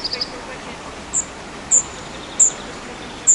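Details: Spotted flycatcher at its nest site, June–July 2011: a quick triple of high ticks, then sharp, very high thin call notes spaced about every half to one second against a quiet background.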